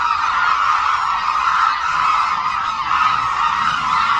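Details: Hooded cranes in a large flock over Suncheon Bay Wetland, where migratory birds gather. Loud, overlapping honking calls blend into a dense steady chorus, with a few clearer notes emerging briefly above the rest.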